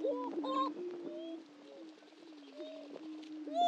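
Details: Greater prairie-chickens displaying on a historic lek at a prairie in Hatfield, Missouri: sustained low, hollow booming hum with occasional higher whoops and cackles laid over it.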